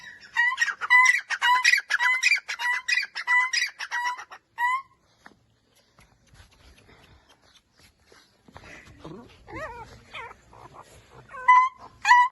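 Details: Francolin (teetar) calling, used to make other birds react: a rapid run of loud, harsh, repeated notes for about five seconds, then a pause and a looser series of shorter, varied calls.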